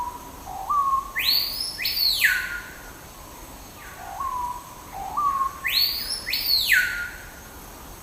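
Screaming Piha giving two loud phrases: quiet rising notes, then piercing whistles that swoop up and plunge down, repeated about five seconds apart.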